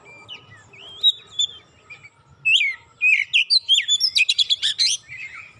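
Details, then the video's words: Oriental magpie-robin, emotional after a provocation, unloading isian: soft scattered whistles at first, then an accelerating string of sharp chirps and buzzy notes growing louder toward the end. "Kacer sekali pancing langsung emosi bongkar isian"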